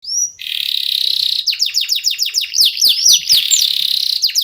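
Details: Local Indonesian canary singing in full voice, used as a lure to get other songbirds singing: a brief high whistle, then a dense buzzy trill, then rapid downward-sweeping whistled notes repeated about four times a second, with louder twisting phrases near the end.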